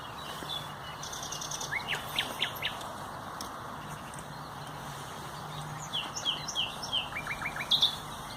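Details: Common nightingale (Luscinia megarhynchos), a loud, melodious singer of dense undergrowth, recorded 30 April 2021, sings two short phrases of quick, high, repeated notes and chirps separated by a few seconds' pause, over steady background hiss.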